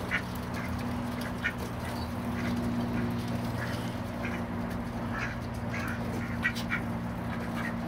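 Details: Ducks fighting, recorded on a Panasonic SD9 HD camera: short, harsh quack-like bursts break out irregularly, several close together near the end, over a steady low mechanical hum and background rumble.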